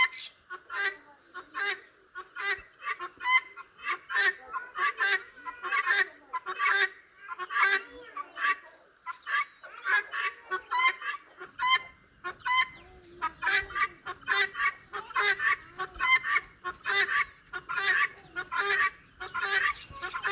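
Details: Pet turkeys, a hen and a cock, give a steady stream of harsh, nasal yelps and clucks, several birds calling over one another.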